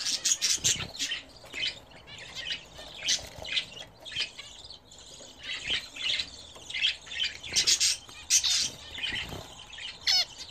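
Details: Several home-kept budgerigars, bred as a hobby, around their bath: a busy stream of high chirps, scratchy warbles and short squawks in overlapping bursts, with brief quiet gaps between the louder runs.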